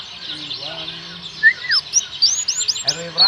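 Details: Oriental white-eyes, a forest-type group singing busily: a lower slurred whistle, then a rush of high upswept and downswept chirps running close together.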